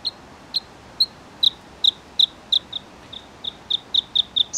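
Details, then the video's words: Bluethroat song built from short, sharp, high notes at first spaced about half a second apart, then quickening into a steady ticking run ending in a higher twitter. "The song of the Bluethroat"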